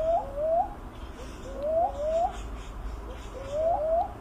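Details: Philippine cuckoo-dove (Macropygia tenuirostris) giving soft, low hoots that slur upward, paired in quick succession and repeated about every one and a half seconds over a faint background rumble.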